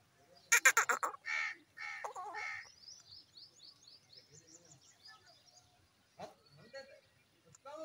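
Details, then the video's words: Green Indian ringneck parakeets fighting among themselves: a burst of loud, harsh, rapidly repeated screeches, then three grating squawks, followed by a run of soft, high chattering notes and a few more scattered rasping calls near the end. "The green parrots are fighting among themselves"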